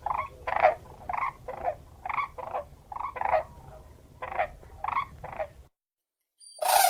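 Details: Crane calls in a rapid series of rattling, resonant bursts, roughly two each second, stopping abruptly near the end before a brief, different noise cuts in.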